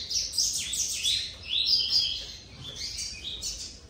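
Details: Captive male Blue-black Grassquit, one of two males rivalling over a single female that is already incubating two eggs, sings high, thin chirps and short buzzy notes tumbling together almost without pause, with no other clear sounds.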